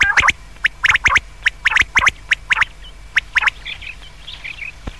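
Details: Common quail at night giving quick, sharp, clicky notes in short groups, roughly seventy bursts a minute at an uneven pace, then softer, higher twittering notes toward the end.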